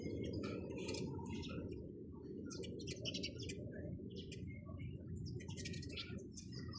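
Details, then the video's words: Chirping of sparrows, a flock giving quick overlapping chips and chatters in bursts, with a constant low-pitched hum underneath. "চড়ুই পাখির কিচিরমিচির শব্দ Chirping sound of sparrows"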